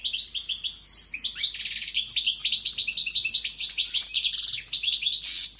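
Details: European goldfinch in powerful song, pouring out quick, tinkling, jangling notes mixed with short buzzy trills in an unbroken high-pitched flow.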